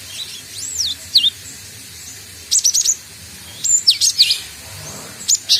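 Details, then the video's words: Young cinereous tit learning to sing: thin, whistled, looping notes that rise and fall, then short clusters of buzzy high chirps repeated after pauses, one brief note at the end. "Burung Gelatik Batu|Glatik Watu | belajar bunyi"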